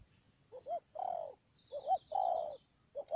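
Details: Spotted dove kept as a trapping decoy at Mương Điều, Đầm Dơi district, Cà Mau, recorded 12 March 2019: two quick rising coos then a long, slightly falling hoot, repeated twice, with a faint wavering high whistle in the background.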